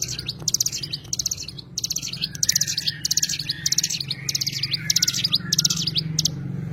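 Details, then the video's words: High, thin chattering phrases from an Oriental white-eye (cigun), tight clusters of quick notes broken by short pauses, with a steady low rumble in the background. "burung cigun"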